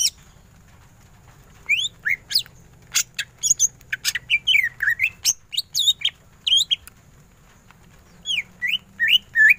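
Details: Greater green leafbird singing energetically in a full ngentrok style: varied clear whistled notes, some rising and some falling, in short irregular bursts with sharp high chips, and quiet pauses between phrases.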